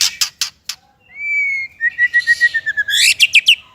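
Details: White-rumped shama tutoring song for young or silent shamas: three sharp chirps, a long pure level whistle, a string of quick evenly spaced notes, then a burst of high chirps.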